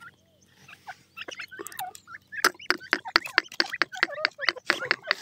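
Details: Pair of grey francolins calling: after a few scattered chirps, a rapid series of sharp, loud, clipped notes repeats about twice per second and grows steadily louder.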